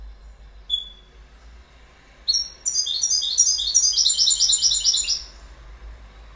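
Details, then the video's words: Goldfinch: a single thin high note, a pause, then an energetic tumbling sequence of bright tinkling twitters lasting about three seconds before quiet returns. "Goldfinch Bird Sound"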